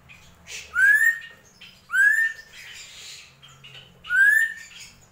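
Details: Drongo, locally srigunting krantil, gentolang song: three loud rising whistles about a second apart, each sliding up and flattening out, with a soft hum and light scratchy notes in the gaps.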